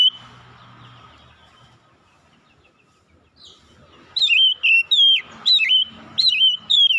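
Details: Morning song of an Oriental magpie-robin, a run of loud whistled notes with rising and falling slurs delivered in quick separate bursts, following several seconds of near silence and a faint low hum.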